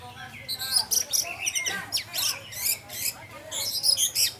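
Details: Orange-headed thrush 'teler' singing as a lure for other thrushes; choppy bursts of harsh, high chattering and buzzy notes, repeated in quick pulses with short gaps.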